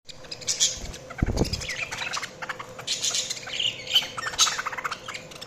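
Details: Budgerigar chirping in scratchy, buzzy bursts of chatter with brief squawks, and a low thump partway through; a steady low hum runs underneath.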